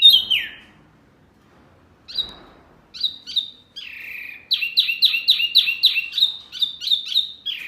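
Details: Songbird training recording (masteran) meant to make caged murai, kacer, cucak ijo and jalak answer: a descending slurred note, pauses, then a rapid run of sharp downslurred chirps about four per second, clear and free of other sounds.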